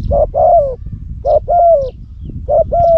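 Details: Loud-voiced spotted dove decoy bird in Cambodia, used to lure wild doves, cooing in three phrases, each a short low note then a longer, slightly falling coo, about one second apart, over low rumbling background noise.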